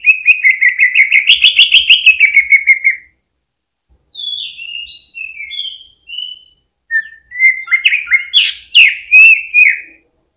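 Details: Greater green leafbird (cucak ijo) singing as a stimulus for other birds: a rapid chattering trill, then softer varied whistled phrases, followed by a loud sharp rattling burst.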